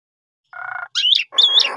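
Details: Asian pied starling song used as a lure to get young or sulking birds singing: a flat buzzy note, then two loud whistled, warbling phrases with rising and falling sweeps, separated by short gaps.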